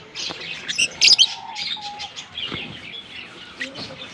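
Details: A pair of green Fischer's lovebirds, seen kissing, gives quick high, sharp chirps and twitters, with a loud cluster near the one-second mark, over a steady lower tonal hum in the background.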